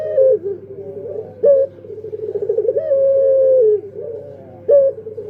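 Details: Puter pelung dove cooing: short sharp rising notes, rolling trills and one long steady coo that drops at its end, with a low steady hum behind.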